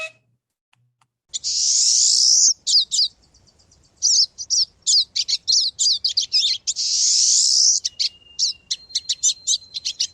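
Pine Siskin: a rapid jumble of high twittering notes broken up by long, rising, buzzy zzz sounds, with a few clear whistled tones near the end.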